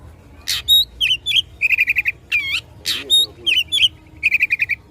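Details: Oriental magpie-robin in fighting song, provoking rivals: rasping bursts alternate with looping whistles and quick trills of four to five short notes.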